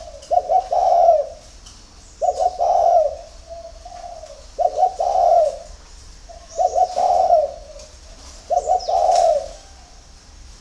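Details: Spotted dove from a farm in Ba Vì district, Hanoi, Vietnam, cooing at dawn: five mellow, gurgling phrases, each opening with quick stutters and ending in a drawn-out coo, roughly every two seconds, with faint high twitters.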